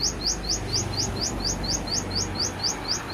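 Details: Cinereous tit recorded at Takengon in Aceh Tengah, Indonesia, delivering a full song repertoire as a steady series of short, high, upslurred whistles, about four per second, over faint low background hum.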